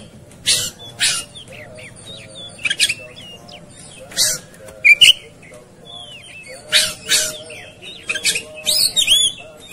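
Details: Masteran training recording of an agitated, fighting Oriental magpie-robin: scattered harsh scratchy bursts alternate with clear downslurred whistles and brief twittering phrases, growing busier toward the end.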